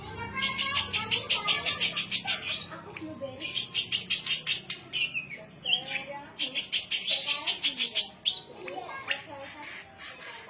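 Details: Young contest-ready songbird pouring out long, fast trills of repeated high buzzy notes, about three per second, broken by brief whistled twists and chips.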